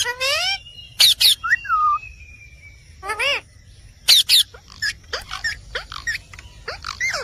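A rose-ringed parakeet chatters in speech-like phrases with short whistles, broken by harsh, shrill screeches in pairs, about every three seconds.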